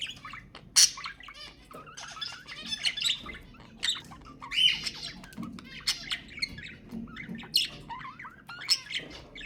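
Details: Budgerigar song for breeding stimulation, a rapid nonstop stream of scratchy chirrups, clicks and short whistles, with frequent sharper squawks punctuating the chatter throughout.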